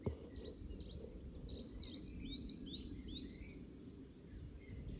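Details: Garden-singing Icterine warbler at Pieterburen, 17 May 2022, whose song mimics oystercatcher: a fast run of high descending sweeps and upward slurred whistles repeated several times per second, over constant low background rumble.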